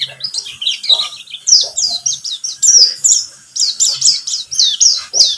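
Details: White-eye (pleci, buxtomi type), used as a lure to get other birds singing. A rapid, continuous twittering song of high, sharp chirps and short warbled phrases, delivered in quick bursts with brief gaps.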